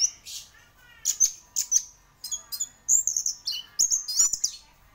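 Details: Orange-headed thrush, a singing champion, delivers rapid high whistled notes and short chattering phrases in a steady, lively run.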